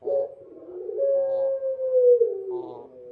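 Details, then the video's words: Dove at night giving one sustained low coo: a short rough opening note, then a long steady hum that slowly drops in pitch and ends with a brief nasal tail. "suara burung puter malam hari//midnight show singing bird dove//"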